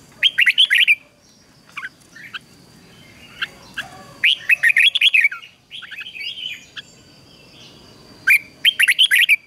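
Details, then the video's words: Red-whiskered bulbul delivering vigorous ché song for training birds to sing: three loud bursts of rapid, bright chirps spaced several seconds apart, with scattered softer notes and warbles between them. A steady faint high hum runs throughout. "Luyện chào mào hót căng lửa, QUÁ HAY - CHÉ KÍCH BỔI CĂNG ĐÉT, Cách luyện chào mào hót sáng"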